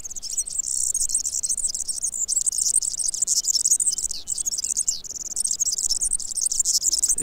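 A European Serin sings long, rushed strophes of very high, fast jingling notes with brief pauses between runs, like a glassy buzzing twitter.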